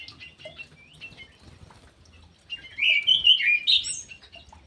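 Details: Captive ground thrush in an Indonesian aviary, with soft scattered chirps at first, then a loud burst of fast, twisting, high warbled notes in the second half.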